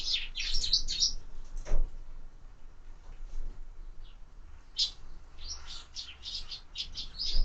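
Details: Sparrows feeding at feeders mounted on a window, giving bursts of high, short chirps at the start and again in the second half, with a soft thump and low indoor hum beneath.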